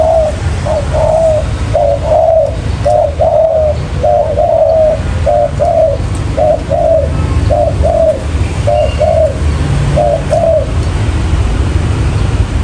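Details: Lure recording of a spotted dove for catching wild birds: a long run of paired mellow coos, clipped note then longer falling note, repeated about once a second and tailing off, low rumble underneath.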